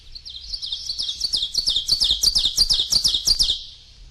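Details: Ovenbird singing, from a commercial field guide recording of bird songs: a run of about ten sharp, repeated two-part phrases that build steadily louder toward the end, with a quiet background.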